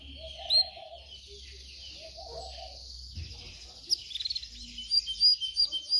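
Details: Canaries singing as training material: a continuous high buzzy trill, then a burst of rapid pulsed notes and loud short chirps near the end.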